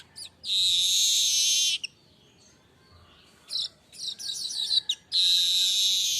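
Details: Streaked weaver singing nonstop, unedited: a long wheezy, buzzy hiss-like phrase lasting over a second, then scattered chattering and sputtering notes, then another long buzzing wheeze.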